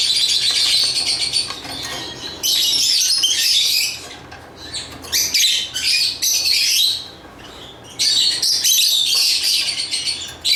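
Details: Lovebird chatter in loud, long bouts of shrill squeaky chirps, with calmer spells around the middle before the noisy chirping surges back.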